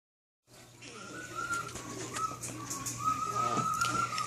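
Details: Male pet cockatiel whistling the tune Nights in White Satin to a fish and other birds; a sustained whistled line wavering around one pitch, with soft clicks and room hum.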